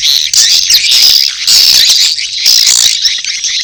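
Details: Courtship chatter of swiftlets with chicks calling, high shrill twitters coming in three loud bursts separated by short dips.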